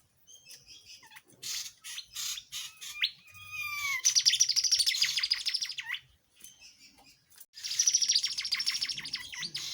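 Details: Actively singing tledekan jati, recorded as a master song for training white-rumped shamas, magpie robins and leafbirds; scattered high chips and downslurred whistles build into long, dense, high rattling trills, with a short break between them.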